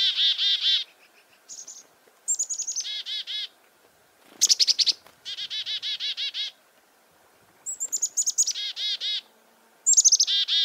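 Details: February 2021 farm recording of chickadees alarmed by a close goshawk: repeated loud phrases of thin high whistles and chips and strings of four to eight coarse buzzy 'dee' notes, with short silences between bursts.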